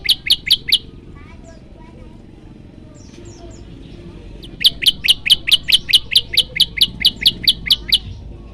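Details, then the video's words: Prenjak lumut giving its loud 'tembakan' variation. A short burst of four piercing high notes comes first, then soft faint chirps, then a long even train of rapid sharp notes repeated roughly twice a second. "prenjak lumut gacor suara tembakan keras"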